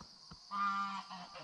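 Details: Farm ducks and geese in their pen on a foggy summer morning on a marsh, before being let out: a drawn-out nasal honk, then a shorter second one, with quieter murmurs and a man talking nearby.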